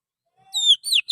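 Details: Wild forest Oriental magpie-robin song used as a bird-catching lure: a faint low whistle, then bright high whistled notes that slide downward, followed by a quick rising-falling phrase.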